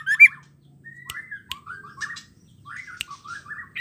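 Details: Female white-rumped shama singing, her voice used to stir male birds into song: short whistled phrases with rising and falling slurred notes, separated by brief pauses, plus sharp clicks and a faint low hum.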